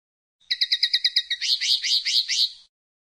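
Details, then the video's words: Common linnet song opening with a rapid even series of about eight clipped notes, then sliding into richer, warbled, slurred twittering, all high pitched. "El Canto del Pardillo"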